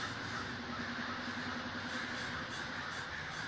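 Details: Crows massed in a large communal gathering at Davis, California, a thick continuous roar of countless overlapping raspy caws with no gaps between calls.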